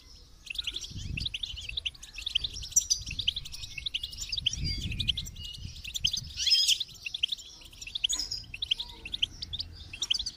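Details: Lively goldfinch song: an unbroken run of high, rapid chirps and twitters with a few sharp ringing notes midway. Soft low knocks sound in the background.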